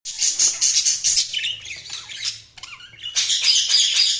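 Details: Budgerigars chirping: dense, buzzy warbled chatter with rapid squeaky notes about four per second, a brief lull midway before the busy twittering resumes.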